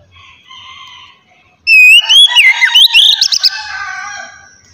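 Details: Oriental magpie-robin in the ngeplong style, played so untrained magpie-robins start singing: soft warbles give way to a loud wavering whistle that slides up and down, then a dense flurry of sharp notes fading out.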